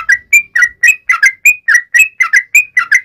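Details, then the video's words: Yellow-vented bulbul calling to its companions in full, lively voice, a clean run of liquid whistled notes alternating high and low, about three to four each second. "trucukan gacor MEMANGGIL TEMANNYA"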